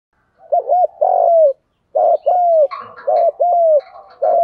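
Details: Decoy spotted dove cooing to attract wild doves: a series of soft, rounded coos and long sliding notes in quick phrases, with brief rustling and clattering partway through.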